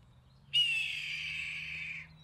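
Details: A recorded red-tailed hawk call is played during a birding outing as the scream often used for bald eagles on television: a single hoarse, drawn-out scream, starting sharp and trailing slightly downward over about a second and a half, with a faint low background hum.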